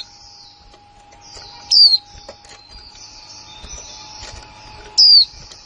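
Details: Female white-eye, a newly kept hen, 2020, calling in the style described as "kick mộc là líu": two sharp, very high, downward-sliding whistled notes about three seconds apart, over a steady low hum and faint high hiss.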